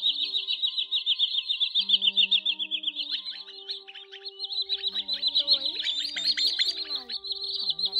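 Common greenshank giving a rapid, high chattering series of ringing notes, about three or four a second, with faint low hum and other chirps behind.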